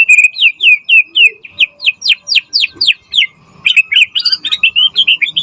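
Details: White-rumped shama singing a lively, content-packed lure song to trigger replies and serve as a tutor recording: a string of downslurred whistles repeated roughly four times a second, then a jumble of quick high chirps.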